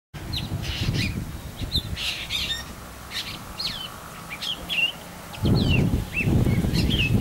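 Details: Juvenile black drongo calling: a loose series of short, sharp, slurred whistled notes, roughly one or two per second, with irregular spacing, over steady background hiss and a burst of low rumbling noise near the end.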